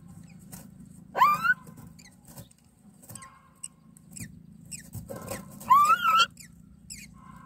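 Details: Myna chicks in a nest being fed by their mother, giving two short bursts of rising, squeaky harmonic begging cries about four seconds apart, with faint rustling and a low background hum between them.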